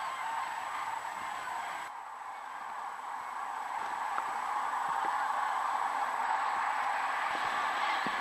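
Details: Common cranes in a migration roost of many thousands on a lake in Hortobágy, Hungary, settling for the night; a massed chorus of rolling, honking calls that briefly softens and then swells louder, with a few faint clicks.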